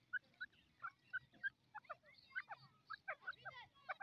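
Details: Grey francolin, known locally as Dakni teetar, calling in a quick series of harsh, clipped two- and three-note phrases, repeated about every quarter second with rising and falling inflections, against a quiet low background.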